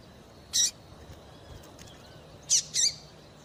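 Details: Female Double-collared Seedeater gives three short, harsh, high chips, one alone and then a quick pair two seconds later, over a faint hiss; such female calls are used to stimulate males to sing.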